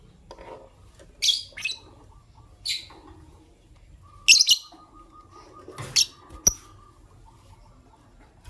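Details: Morning chirping of a green Personata lovebird and an albino lovebird: a run of short, sharp, high-pitched squeaky chirps in small clusters, with a faint steady tone and light clicks behind.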